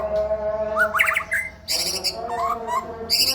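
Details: Male white-rumped shama delivering isian song, a mix of rapid rising whistled slurs, buzzy high bursts and brief pauses, against a droning low-pitched background hum.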